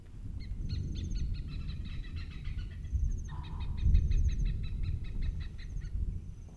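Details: A pair of hornbills calling to each other near an apparent nest site on an overcast day. The calls are rapid, pulsed and harsh, about four per second in bursts, with one lower drawn-out note midway. High thin trills and steady background rumble run underneath.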